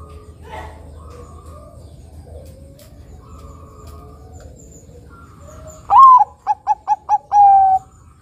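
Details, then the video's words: Zebra dove, a Bangkok and local crossbred perkutut in full song, used to draw out singing; after quiet background, one phrase ends the clip: a rising-falling opening coo, four quick clipped notes, then a long level closing note. "Perkutut bangkok gacor suara nutut besar panjang penarik bunyi perkutut bangkok lokal crossing"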